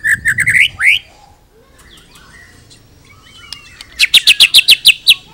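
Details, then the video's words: White-rumped shama singing a full, varied repertoire meant as a training master for other birds: slurred whistles rising to a high sweep, a quiet gap, then a fast run of sharp, evenly spaced high chips. "murai full isian cocok buat MASTERAN"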